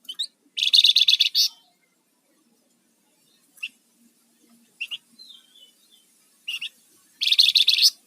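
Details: Rufous-fronted laughingthrush singing its 'ngebren' and 'nyiul' style, kept as a lure and master bird for training: two loud, harsh, rapidly pulsed buzzy bursts separated by sharp chips and a short sliding whistle, in a quiet background.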